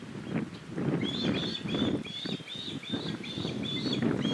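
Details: Osprey fledgling pleading with its father for a share of his fish; steady series of sharp, high whistled chirps repeated several times a second, set against loud blustery wind.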